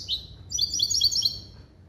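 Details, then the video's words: Hybrid of a male European goldfinch and a female canary, song trained in clean "limpio" style built from goldfinch base calls: a quick run of high, sharp twittering notes dropping and rising in rapid succession, over a low indoor hum. "CHANT DE MON HYBRIDE JILGUERO ET CANARI"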